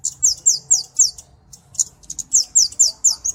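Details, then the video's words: Piercing downslurred ticks of a flowerpecker, used to train songbirds and to lure: about four evenly spaced notes, a short silence, then another quick run of similar notes. "Burung KEMADE // CABE CABEAN - Cocok Untuk Masteran Dan Pikat (Suara Jernih)"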